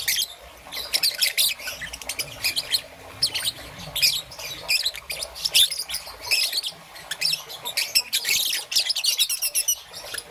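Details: Morning chirping from a young peach-faced lovebird, green and yellow: shrill, rasping notes in irregular bursts, ending in a fast buzzy chatter.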